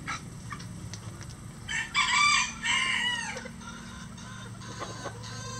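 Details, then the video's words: A rooster crows at a farm where at least 20 standard and bantam roosters call all day. A mid-distance, strained cock-a-doodle-doo lasts about a second and a half over steady background hum, with faint clucks afterwards. "20 Roosters Crowing For 20 Minutes"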